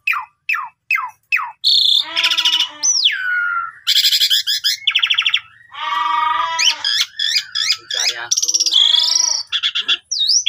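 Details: In the morning, an Asian pied starling sings a loud, varied medley of sharp descending whistles, buzzy rattling phrases, and rising and falling slurred notes in quick, busy succession, played to lure other starlings.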